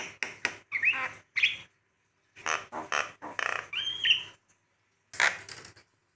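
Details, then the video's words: Javan myna used as a training song for other birds: a jumble of harsh broadband squawks, rasping bursts and a few clear whistled upslurs and downslurs, delivered in short phrases separated by brief pauses. "masteran burung jalak kebo"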